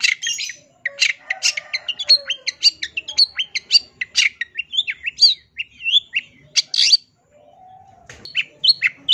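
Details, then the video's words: Long-tailed shrike in full, lively song packed with varied phrases, used as a master recording to train songbirds: a dense, hurried stream of high twittering and whistled notes, rising and falling slurs, a short pause, then more chattering. "MASTERAN CENDET GACOR FULL ISIAN 100% BIKIN CENDET BAHAN CEPAT IKUTAN BUNYI"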